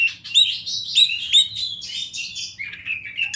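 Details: Wild champion kacer, or Oriental magpie-robin, in river and forest ambience, masteran song: sharp, bright up-slurred whistles repeated about every half second, blending into rich warbling, then lower sliding notes. A faint low hum persists.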